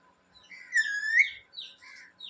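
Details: Talking pet parrot giving a bright whistled note that rises and falls, followed by shorter chirpy whistles, in a quiet indoor setting.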